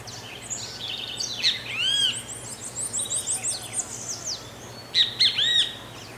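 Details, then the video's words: Great kiskadee (bem-te-vi) singing in the countryside of Pirenópolis, Goiás, Brazil: loud, arched, three-part calls given twice, separated by a quick series of thin, high chips from a second bird. "BEM-TE-VI CANTANDO"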